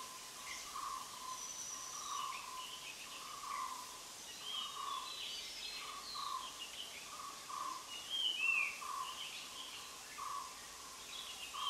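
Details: Puff-throated (Spotted) Babbler at Nandi Hills, where the birds are used to tourists, foraging by pushing leaves about; short mellow mid-pitched notes repeat steadily about once a second over a hissy background, with faint scattered higher chirps from other birds.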